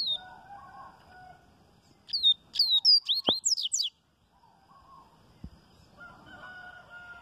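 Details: A Double-collared seedeater (coleiro baiano) sings the "viviti" song type on a Wednesday morning, a quick burst of about eight high, sharp, downslurred whistled notes over two seconds, while a man softly urges it on.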